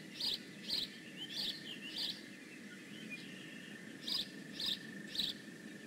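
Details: At the Decorah North nest on 15 May 2017, a bald eagle calls in bursts: four sharp high chirps, a quiet pause with faint squeaks, then three more, with a thin constant tone running underneath.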